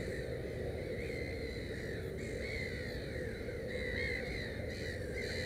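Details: Black-headed gull calling near its nest with three chicks. Drawn-out harsh notes rise and fall in pitch, several in a row with brief gaps, over steady low-pitched background rumble.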